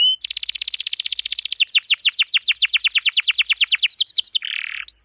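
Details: Atlantic canary delivering a tightly packed long roll, meant for tutoring young canaries and ones gone silent: a rapid trill of down-slurred notes that gradually slows, then a short harsh buzz and a whistle.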